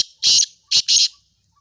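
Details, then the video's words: Black francolin calling: loud, harsh, grating notes, one then a close pair, abrupt and evenly strong, with silence after. "kala teeter ki awaz"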